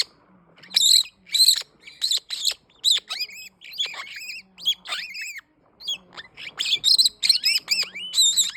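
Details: Green-winged king parrot producing a lively stream of shrill squawks, some with downward-sliding tails. After a short gap it breaks into a quicker run of sharp, chattering notes.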